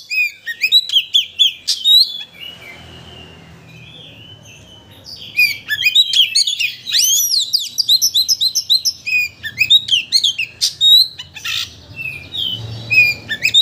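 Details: Lure song of a white-rumped shama meant to rouse a bird's emotion so it sings its full repertoire; long, varied stream of clear whistles, rapid chattering phrases and steep upslurs, bursts separated by short pauses.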